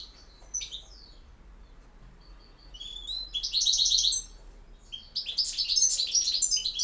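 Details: European goldfinch campero song opening with scattered thin chirps, then a rapid, buzzy-edged trill and a long closing burst of dense, bright twittering.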